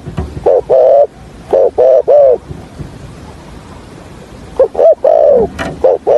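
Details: Spotted dove kept as a decoy for trapping sings a stuttering coo in the hạp bổi voice: quick clipped hoots and a few drawn-out coos in two bursts separated by silence.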